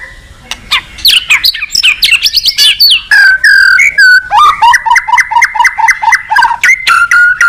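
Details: White-rumped shama in full, varied song used as therapy to stimulate other shamas to sing: rising whistles and buzzy sweeps, then a fast series of short paired notes repeated about three times a second.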